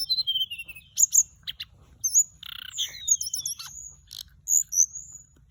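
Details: Flycatcher used as a lure recording, singing high, thin whistled phrases with sweeping slurs and quick trilled wiggles, broken by short buzzy notes and sharp clicks, against a quiet background.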